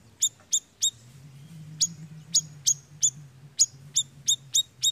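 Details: Siri-siri lure sound for attracting birds: bright, snapping high chirps in clusters of three or four, about thirteen notes, with a low hum underneath.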